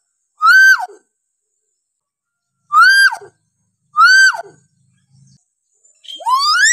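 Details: Hill myna in a tutoring recording of varied calls for young or quiet mynas: three loud, piercing whistles, each rising then falling steeply, about two seconds apart, ending with a long upward-sweeping whistle.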